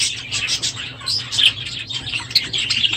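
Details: A flock of aviary budgerigars, noisier than usual this morning at the end of breeding season, produces a rolling mix of shrill chirps, buzzy warbles and a few clear whistled notes.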